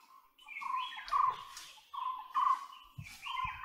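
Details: White-bellied woodpecker calling: about five strong, steady, mid-pitched notes over under four seconds. Several notes are paired, and a higher overtone band runs above them. Brief low thumps sound in between.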